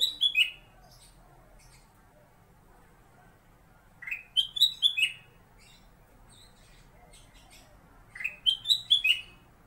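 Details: A kept Black-capped bulbul (kutilang emas) gives a master song for white-rumped shamas to copy: a rising, bubbly phrase of four or five whistled notes, repeated about every four seconds over a low background hum.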